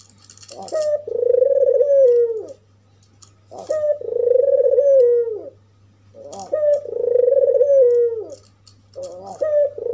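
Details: Albino African collared dove with white plumage and red eyes, its call used to provoke other doves: a short rising note then a long drawn, slightly wavering coo falling at the end, repeated about every three seconds, with a steady low hum.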